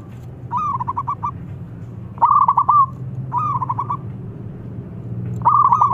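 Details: Wild local Zebra dove with a big voice, recording used as a lure to prompt other doves to sing; four bursts of rapid bubbling, rolling coo notes a second or so long, over a steady low hum.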